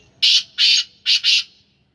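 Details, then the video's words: Black francolin, a captive Sindhi-line bird described as tall with a long neck, gives four harsh, grating notes in quick succession, the middle pair spaced wider and the last two close together, against a quiet background. "Kala teetar ki awaz / black francolin voice کالا تیتر کی آواز"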